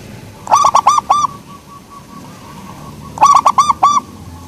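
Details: Soft-voiced local zebra dove (perkutut lokal) cooing two phrases of four or five quick, bouncy hooked notes about three seconds apart, with a faint trailing note between them and light background hiss.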